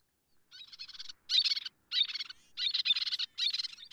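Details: Little tern (Sternula albifrons), call.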